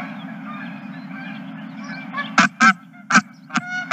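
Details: Geese on a ranch, 2023-03-31: low distant murmur for two seconds, then four or five sharp, loud honks in quick succession, set against a continuous low droning hum.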